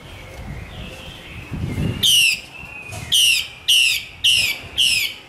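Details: Female Chinese hwamei from Northwest Vietnam giving five loud, harsh, downslurred notes about every half second, after a faint wavering whistle and low rustling.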